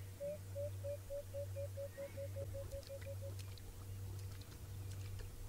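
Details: Blacksmith lapwing, unhappy at a male lion drinking at its waterhole at sunrise on 27 August 2017, Djuma Game Reserve, gives a quick run of about fourteen clipped 'tick' notes over three seconds, over a low engine-like hum.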